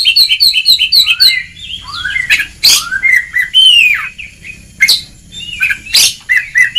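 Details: Kacer, or Oriental magpie-robin, in ngeplong song for training: it opens with a quick run of repeated sharp chipping notes, then gives rising and falling whistles broken by harsh bursts.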